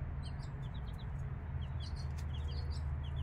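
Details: Five-day-old chicks beside their mother hen give short, high, falling peeps, scattered and irregular, against a constant low droning hum.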